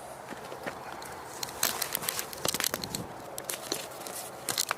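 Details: Crackling, rustling and crinkling bursts with footstep-like knocks over soft background noise.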